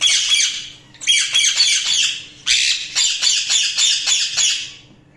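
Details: Budgerigars chirping continuously in loud, buzzy, high-pitched bursts of rapid chatter, each burst lasting about a second with short pauses between, over a faint steady hum.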